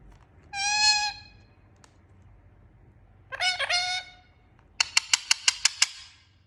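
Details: Talking parrot producing varied sounds: a clear steady harmonic note, then a rough broken call, then a rapid run of sharp clicking pulses, with low background hum throughout.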